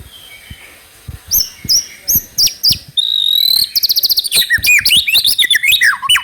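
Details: White-rumped shama, a trotol-style lure meant to make another bird sing quickly: loud, varied phrases of sharp whistled notes and clicks, then a rapid rattling trill and a tumbling run of looping, rising and falling whistles.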